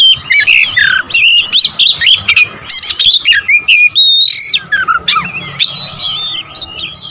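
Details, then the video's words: Oriental magpie-robin song played to provoke rival birds: loud, varied whistled phrases with rapid chirps and slurred notes, bursts repeating about every second, a brief pause near four seconds, then more twittering. "memancing emosi Kacer lawan"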